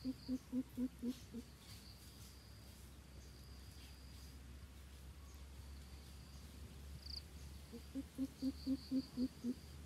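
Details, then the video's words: Coucal in the 'thiêm ku' lure style: two bursts of six or seven low, hollow hoots at about four per second, separated by several seconds of quiet with a thin, high insect drone. "Bìm bịp thiêm ku dụ bổi"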